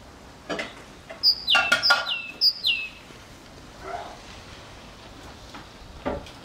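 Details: Tit singing in May 2013, returning daily after being fed through winter, filmed with a Canon PowerShot SX40 HS; three clear high whistled notes, each sliding downward, about half a second apart, with faint knocks and clicks around them.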